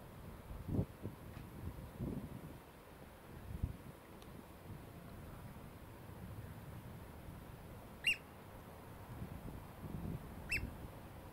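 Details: An Eurasian oystercatcher on the Aberdovey foreshore gives two sharp, high, piping 'kleep' notes a few seconds apart over steady wind and low shoreline rumble.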